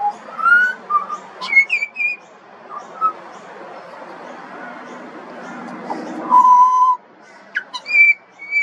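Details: Young pied butcherbird singing scattered whistles and high slurred notes, then a long steady fluted tone, over a noisy background with a low murmuring rumble in the middle.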